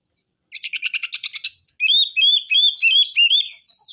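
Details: Vigorously singing oriental magpie-robin (kacer) delivering rough 'materi kasar' material while unloading its repertoire; a fast rattling series of about eight harsh buzzy pulses, then a run of loud, clear, rising whistled notes repeated roughly every third of a second.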